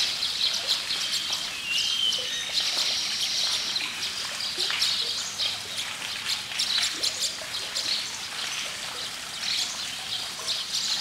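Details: Baya weaver birds chirping: a dense, continuous chatter of high, thin chirps and short twittering notes overlapping from several birds, with a faint trickling background.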